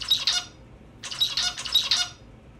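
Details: A male zebra finch from a laboratory colony in Ontario, trained by playback so that all males sing the same song, sings a short motif of harsh, buzzy, nasal syllables. It repeats the motif twice more after a brief pause.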